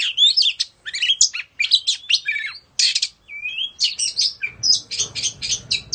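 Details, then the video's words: An Indonesian Oriental magpie-robin mid-dance with tail fanned gives bright, quick phrases: chirps and slurred whistles, one smooth rising whistle, then a rapid series of sharp, evenly repeated notes. "Choè Than Indo hót múa xoè"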